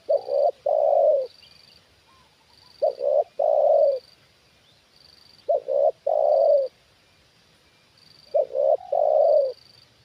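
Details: Trained spotted dove reacting to a wild bird lowered for the second time. It gives four loud cooing phrases about two and a half seconds apart. Each is a quick clipped double note leading into a longer, fuller coo.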